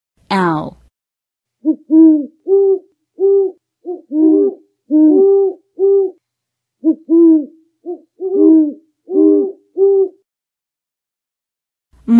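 An owl gives a series of short, mellow hoots, each slightly arched, in an uneven rhythm.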